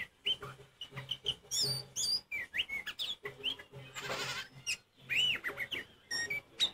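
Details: Oriental magpie-robin in loud, provoking song: energetic mix of high sweeping whistles, chattering chips and upslurred notes, broken by a short burst of harsh hissing noise.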